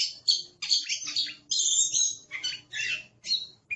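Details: Aggressive Oriental magpie-robin, kept in Indonesia: loud, broad harsh squawks and scratchy bursts repeated about twice a second, with a faint low hum underneath.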